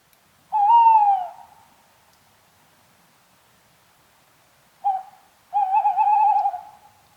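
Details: Tawny owl (Strix aluco) giving eerie, haunting hoots: one long mellow hoot sliding slightly downward, a silent pause of about three seconds, a brief note, then a wavering, tremulous hoot held for nearly two seconds. The background is quiet.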